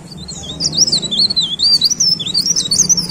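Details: High-pitched leaf warbler warbling, a fluid stream of looping, rising and falling thin notes delivered without a break, over a soft low hum.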